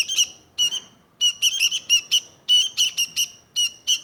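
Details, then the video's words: A sooty-headed bulbul gives irregular bursts of bright, chattering notes. Some come singly and others in quick clusters, separated by short silences. "Burung Kutilang Sakti"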